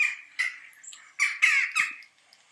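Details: A jackdaw gives four short, harsh, squawky 'tchack' calls in about two seconds, the last three coming quickly together; the call can sound like its name.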